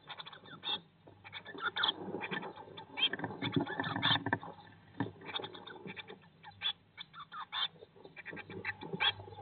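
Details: Eurasian blue tit nestlings, 19 days after hatching, inside a nest box streamed live in spring 2022. Steady high-pitched chirps over a broad bout of rustling and shuffling in the middle.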